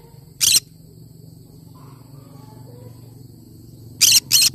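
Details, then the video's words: Cinnamon green-cheeked conure: one loud rasping screech, a quiet gap with soft murmurs, then a rapid pair of harsh screeches; low hum throughout. "Chinnamon conure sound"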